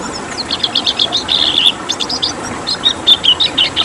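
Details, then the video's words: High, hurried twittering from a red siskin, a rare protected bird, in the 'tembakan' song style: clusters of sharp chirps, short trills and a clear whistled note, with background hiss. "Masteran Tembakan Siskin Merah"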